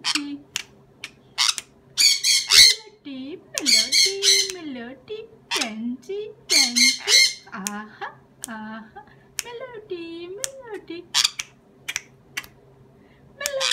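A sun conure gives loud, harsh, piercing squawks in quick irregular bursts, with softer chattering between.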